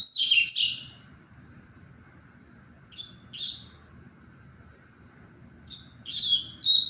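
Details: Double-collared seedeater singing in tui-tui style on 23 February: a loud buzzy downslurred burst, a pause with a brief soft chip, then another twittering burst starting again at the end.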